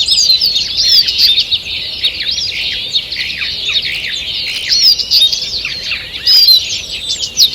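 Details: Birds singing in a forest in the morning, 2 June 2023: unbroken high chirping and warbled phrases from several singers, with bright accented notes near the start and sixth second.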